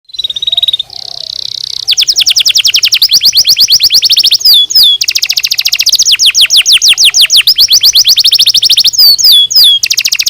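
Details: Canary song used to stimulate singing: loud high trills of rapid repeated notes, a sustained buzzy tone, then fast rolling trills with sharp downward-swept whistles, continuous throughout.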